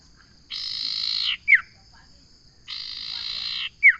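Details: Two phrases from a common iora, each a long buzzy rasp closed by a short, sharp descending whistle, spaced about two seconds apart over a faint constant hum.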